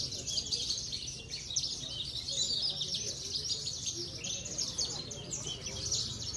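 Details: Contest-stable Javan bush lark (Parva type) kept for bird-singing competitions in Cilacap, Indonesia, delivering a long unbroken stream of shrill, scratchy twitters and rapid trills, high-pitched throughout, over a low hum of distant people talking.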